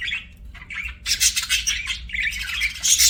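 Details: Budgerigar chirping: dense, rapid chatter of bright squeaky chirps and warbles, swelling louder after the first second and continuing in busy overlapping bursts to the end.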